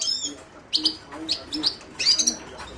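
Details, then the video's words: Himalayan goldfinch giving a sequence of short, high chirps and twittered notes in small clusters, starting with a brief whistled phrase, over a faint low background. "تغريد حسون الهيمالايا chant de chardonneret hymalaya"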